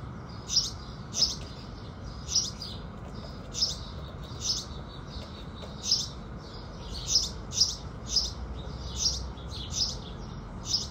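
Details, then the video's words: House sparrows at sunrise repeat single loud cheeps roughly every half second to second, clustering faster near the end, above a steady low background noise. "Sparrows Singing"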